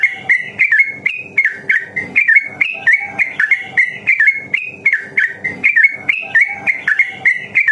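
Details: Rapid, extended ropel singing by a sooty-headed bulbul, used to stimulate other bulbuls to sing: clustered whistled notes jumping up and down in pitch, repeated briskly and evenly from start to finish.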